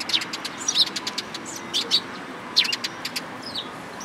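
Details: Tree sparrows chattering at a Tenmangu shrine, 14 April 2022: dense, overlapping high chirps and twitters from several birds, coming in quick bursts throughout over low background rumble.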